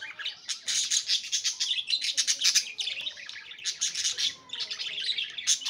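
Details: Pet budgerigars singing and playing, a continuous busy chatter of scratchy warbles, buzzy chirps and clicks, with several birds seeming to overlap in a noisy stream.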